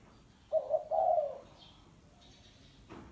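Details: Single thổ sấm phrase from a spotted dove: two quick soft coos leading into a longer, hoarse, falling note, then quiet.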